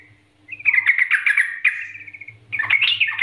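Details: Yellow-vented bulbul in a prolific 'nggaruda'-style master song, used as a lure to get other bulbuls singing: a short lead note, then a long rapid chattering run of liquid notes, a pause, and a louder burst of jumbled warbling.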